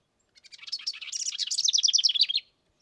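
A wren pours out a loud, rapid song of high notes and buzzy trills for about two seconds against a quiet background.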